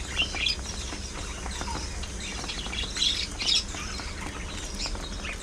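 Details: Pet budgerigars (parakeets) in a lively group, chirping sharply in short bright bursts with pauses between, over a steady low hum.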